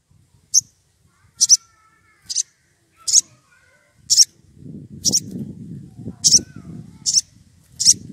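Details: Wild sogon, a small woodpecker, excited and calling a rival: sharp, very high, short squeaky notes repeated roughly once a second, with low rumbling noise in the second half.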